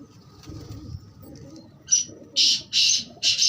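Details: Black francolin giving one short rasping note, then three loud, harsh, buzzy notes in quick succession near the end, over a faint low hum.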